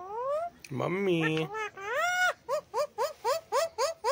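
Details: A pet Alexandrine (pahadi) parakeet that says "Har Har Mahadev", perched on an outdoor stand at sunset in light sun, gives a drawn-out, voice-like mimicked phrase, then about seven short rising squawks, roughly four per second.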